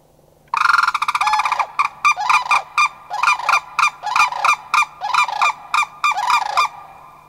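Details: Three Sandhill Cranes, likely a family of two adults and a juvenile, calling back to cranes flying past, Far North Bicentennial Park, Anchorage, Alaska, May 1, 2011; loud rolling, rattling bugles in rapid overlapping bursts, strongly harmonic, steady low hum beneath.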